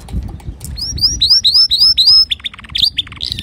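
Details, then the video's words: Male canary singing to teach young canaries: a fast run of high, upward-sweeping whistled notes repeated several times a second, then quicker mixed twittering notes, with low background rumble. "تغريد ذكر كناري صافي لتعليم صغار الكناري"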